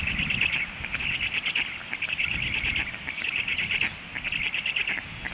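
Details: Young storks, hungry, begging as the parent leaves: bursts of fast, scratchy, high-pitched chattering in groups of about a second, separated by short pauses, light wind behind.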